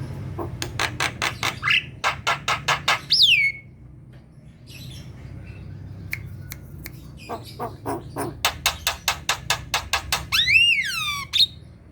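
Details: Vigorous singing by a Javan myna, meant to stir reluctant kept birds into song: long rapid bursts of dry, rattling notes, broken by a pause, with swooping whistled notes that rise then fall.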